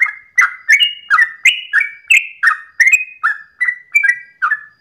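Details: At dawn a sooty-headed bulbul delivers a long 'ropel' song, a fast series of fluty whistles, each with a quick downward slur, repeated nearly three times per second.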